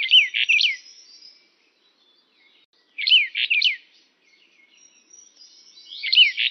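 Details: Brown bullfinch (Pyrrhula nipalensis uchidae) call bursts: three groups of two to three quick, curving chirped notes, roughly three seconds apart, set against a quiet, clear background.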